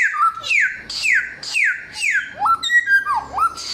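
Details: Loud samyong whistles: several downward-sliding notes in steady rhythm, then a change to lower upswept and hooked whistles with soft high twitters.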